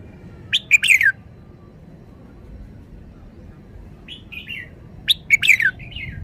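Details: Red-whiskered bulbul singing a loud burst of sharp, falling whistled notes, then softer notes, then the same lively phrase again about four and a half seconds later, with steady faint rumble underneath.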